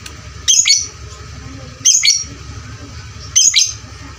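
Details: Lovebird sound used as a lure to train fighter lovebirds: loud shrill high chirp bursts repeated about every one and a half seconds over a steady low hum.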